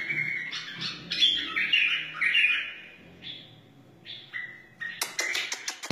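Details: Wild white-eared bulbul singing: bright warbled phrases, some rising and some falling, broken by short pauses, ending in a burst of sharp clicking notes.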